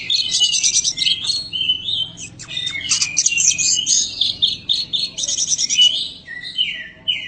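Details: Champion white-rumped shama delivering a dense, varied song of rapid trills, sharp whistles and chattering notes, phrases tumbling one after another with short gaps, loud and high-pitched throughout.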